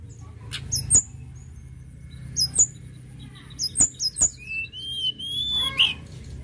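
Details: Sunda robin in energetic song: paired sharp high notes repeated several times, then a drawn-out rising whistle ending in a harsh burst, with clicks and low background hum.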